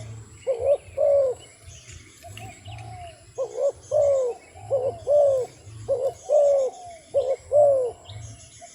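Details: A wild dove gives soft, mellow coos in paired and triple bursts. Each note swells and then dips, and the phrases repeat about every second with short gaps. A steady low hum and faint chirps from other birds sit underneath.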